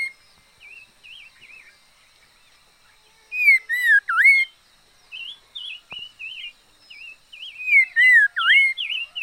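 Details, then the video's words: Red-faced liocichla kept as a decoy gives soft wavy whistles, a loud burst of dipping, rich whistles, a run of short wavering notes, and a final loud swooping phrase. "Chim mi lửa mồi hót hay vij txwv noog vom yij liab ntseg quaj kho siab kawg li"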